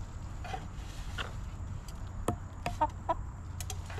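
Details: Backyard chickens in their coop, eating and relaxing; a few short, scattered clucks and scratchy pecking sounds over a steady low hum and faint background noise.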